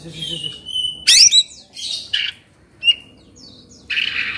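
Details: Agitated Oriental magpie-robin in Indonesia, excited 'emosi' with open beak and fanned tail, giving short, harsh scratchy bursts and a few high whistled notes with brief silences between them.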